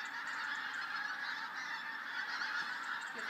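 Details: Pink-footed geese heading to roost on the Wash, over Heacham, Norfolk, in December 2012; a dense, unbroken chorus of many overlapping honking calls at steady loudness throughout.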